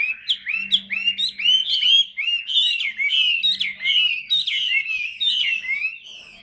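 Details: Hwamei of the 'tam hoàng' type, large and kept caged, pours out an unbroken string of loud whistled notes. They come several per second, each swooping up or down, with a faint low hum in the background.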